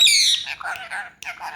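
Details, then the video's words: Pet ring-necked parakeet, a talking parrot, gives a harsh, high squawk, then a run of short, mumbled, speech-like syllables, with a brief pause before more chatter. Its keeper coaxes it between phrases with Urdu-Hindi greetings. "Talking parrot Natural sound"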